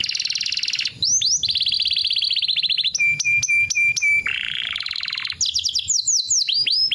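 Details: Green canary singing in its typical chirping style: long rapid trills, a run of steady repeated whistled notes, then a lower rolling trill and fast upward sweeping notes, loud and continuous.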